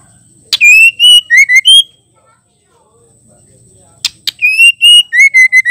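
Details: Female white-rumped shama whose voice is used to rouse males into singing. Two bursts of pure whistled notes, each opened by sharp clicks, separated by about two seconds of quiet; the notes step up and down in pitch.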